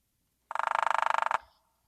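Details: A hairy woodpecker of the Sierra Nevada region drums a very fast, even roll of about 25 sharp taps in under a second, ending abruptly. The drum is distinct from sapsuckers' but hard to tell from a downy's.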